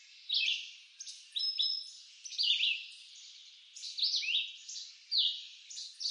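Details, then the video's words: Red-eyed vireo from woods in eastern North America, singing quick paired whistled phrases with sharp down-slurs and up-slurs, repeated steadily with brief pauses over faint background hiss. "Red-eyed Vireo Bird Song"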